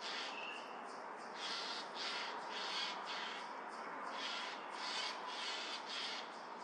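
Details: A Eurasian jay scolds a Eurasian eagle-owl with hoarse, tearing screeches, about one every second or two, each a noisy broadband burst, heard against a continuous soft hiss.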